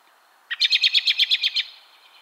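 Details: American robin, heard in fall and winter: a rapid run of about ten sharp, high notes repeated roughly every tenth of a second, starting abruptly and ending cleanly, over quiet background.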